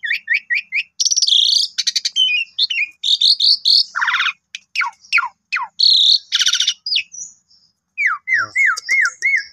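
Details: Pet Asian pied starling singing a full, richly varied song during play with its keeper: quick repeated chirps, buzzy rattles, sweeping whistles, then a run of five rising-falling whistled notes near the end.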